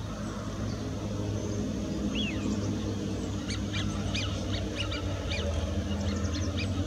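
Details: Eurasian wigeons on the Bedburger Klärteiche ponds: a single arched whistle, then a run of quick, clipped chattering notes from a flock, over heavy low-pitched background rumble.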